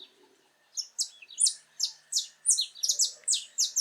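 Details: Wild saffron finch in its natural habitat giving a crisp, ringing song of short descending whistled notes that accelerate into a tight, rhythmic chatter with a faint hum underneath.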